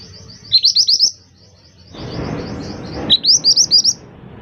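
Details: Scarlet minivet (mantenan) singing energetically: a run of four or five sharp upswept whistles, a patch of hissing noise, then a second similar run of rising notes.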